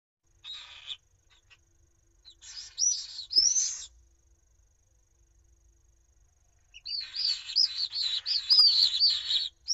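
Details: Pallid swift pair at night in their nest at a school in Jerez de la Frontera, Cádiz, giving shrill, buzzy trilled screams that waver up and down, in three bursts with the last running several seconds.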